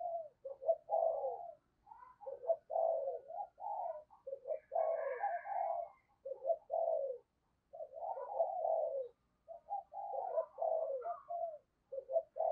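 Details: Decoy spotted dove in the deep 'giọng sấm bầu' voice style, calling to lure wild doves: quieter, steady sequence of hoarse low coo phrases repeated almost without a break, with faint low background rumble.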